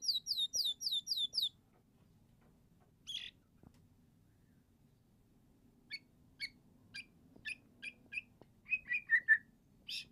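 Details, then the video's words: An eight-month-old young white-rumped shama gives sparse, sharp chips and short whistled notes separated by pauses. A quick series of five repeated notes opens the sequence, then scattered single chips follow, ending in a brief cluster of louder notes over quiet background hiss. "Anakan Murai Batu 8 Bulan Teler"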